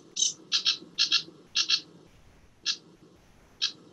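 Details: Sedge warbler song, a summer migrant in Sussex: dry, high chattering notes, mostly in quick pairs, slowing to single chips toward the end, over a faint low background hum.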